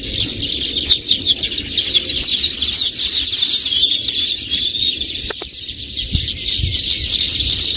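Baya weavers chatter in a dense, high, wheezy chorus of overlapping chirps, about three notes a second, with a few soft clicks beneath.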